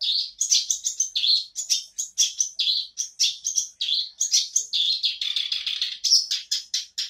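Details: Black-browed barbet singing again after a silence: fast run of short, high chirping notes, some buzzy and some piping, repeated steadily with no pauses.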